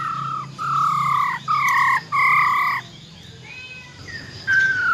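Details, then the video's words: Female silver-eared laughingthrush giving wild-type forest-voice song meant to excite males quickly. Several long, flat, clear whistles, each about half a second, separated by short gaps over a low steady hum. "Tiếng Chim Khướu || Khưới Mái Bạc Má RO RO || Giọng Rừng Hót Chuẩn - Kích Trống Lên Lửa Cực Nhanh"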